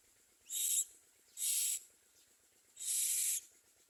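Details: Common myna chicks in the nest give three harsh, hissing rasps, each about half a second long, at uneven intervals over four seconds, with a faint ticking underneath.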